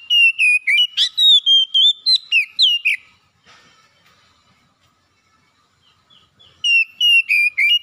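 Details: Lure song of an oriental magpie-robin used to get a reluctant bird singing. A quick run of bright, clear whistles with looping upward and downward slurs lasts about three seconds. After a long near-silent pause, the phrase resumes.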